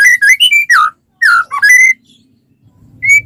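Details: White-rumped shama in full song, meant to coax other shamas into singing: rich, fluty whistled phrases that swoop up and down, separated by short silences, ending with a single clear whistle.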